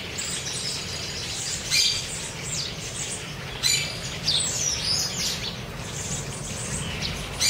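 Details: Wild chopi blackbirds being fed at liberty in Cuiabá, Mato Grosso; scattered short, bright chirps and squeaky notes at irregular intervals over a steady low rumble of background noise.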